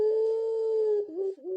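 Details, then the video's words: Turtle dove of the puter pelung type, its coo likened to a ghost's voice: one long, steady, hollow low note held for about a second, then a brief wavering, broken tail. "puter pelung // mirip suara hantu"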